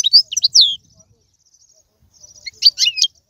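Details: European goldfinch song used to stimulate a pet goldfinch, with a short burst of bright, slurred high twitters, a quiet gap, then another lively twittering phrase.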